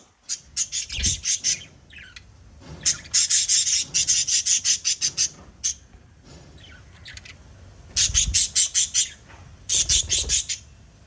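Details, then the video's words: Five pet budgerigars chirp in bursts of sharp, high, rapidly repeated notes, about three per second, separated by brief pauses, with soft low knocks underneath. "Little LOVE Birds Chirping Sound PARROT Family"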